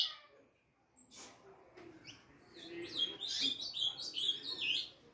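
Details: Young harlequin saffron finch, 4.5 months old, delivering a busy burst of high, slurred, down-sweeping notes over a murmuring, noisy background, after a quieter start.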